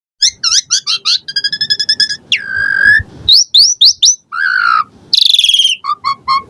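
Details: Asian pied starling in vigorous song rich in varied borrowed phrases, used to prompt caged birds to sing: rapid runs of clipped whistled notes, a long buzzy descending slur, then bright rising whistles and paired short chips.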